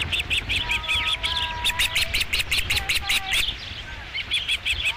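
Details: Osprey calling at the Dunrovin Ranch nest on 5 July 2016 during the first fish delivery: quick strings of high, squeaky chirps with a few faint lower tonal notes running beneath them.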